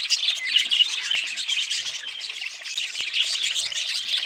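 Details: Budgerigars chattering together, a dense, continuous mix of high chirps, squeaks and warbled notes overlapping with no pause, several birds calling at once.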